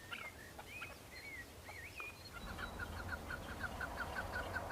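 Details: Male chukar partridges on Bamo mountain, Kurdistan, fighting and displaying to females in breeding season: a few rising-falling whistled notes, then a quick rhythmic run of chuk-chuk calls accelerating toward the end.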